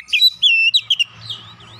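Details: Oriental magpie-robin singing to provoke a rival: a short burst of bright whistled notes, a few sharp chips, then a soft trailing warble over faint low hum.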